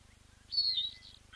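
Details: Blacksmith lapwing at a safari lodge nest with leucistic chicks hatched within the last 24 hours: one thin, high peep easing slightly downward, then a fainter short note, over a soft low hum.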